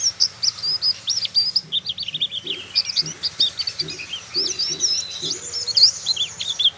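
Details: Young oriental white-eye from Malang practising song: fast, high, jumbled chirps and short whistled slurs in a steady stream, with soft low knocking sounds in the background.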